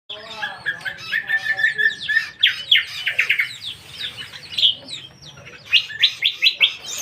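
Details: Lesser green leafbird singing a long, varied phrase: slurred whistles and fast chattering notes rising and falling, with bright buzzy bursts in the middle and again toward the end, bursts of louder notes between softer passages.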